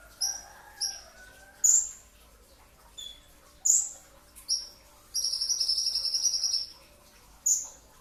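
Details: Brown-throated sunbird song from a training recording made before dawn: sharp high whistled notes and short chirps in bursts, with a longer trilled phrase near the end, repeated notes about every second, quiet background.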